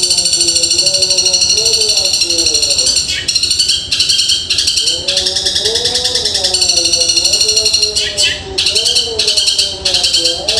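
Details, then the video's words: Cendet, or long-tailed shrike, delivering super-fast sparrow imitations likened to a woodpecker: continuous rapid high chattering and trilled phrases, separated by brief pauses, over softer wavy lower tones. "Cendet tembakan gereja super dahsyat seperti pelatuk bawang speed super rapat"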